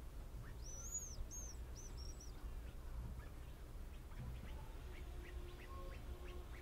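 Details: Hazel grouse: very high, thin whistles in the first seconds, one long drawn note then a few shorter arched notes, over low rumbling background noise with faint scattered bird chirps.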